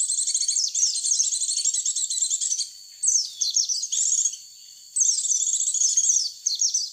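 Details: White-eye lure call: three bursts of rapid, shrill twittering separated by short quiet gaps, with a faint steady high tone running through.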